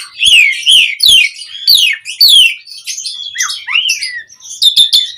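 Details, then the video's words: Asian pied starling song, a lure to make other birds respond: a series of falling whistled slurs separated by sharp clicks, followed by varied shorter whistles and a final pair of rapid clicks. "Pancingan Jalak Suren Mompa RingTone Bikin Suara Burung OCEHAN satu Rumah LANGSUNG Nyaut"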